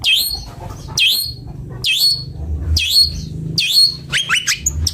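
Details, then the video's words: A Long-tailed Shrike gives harsh, high, down-slurred notes about once a second, then a quick scratchy chatter at the end, over low background hum. "Suara merdu burung cendet bondol"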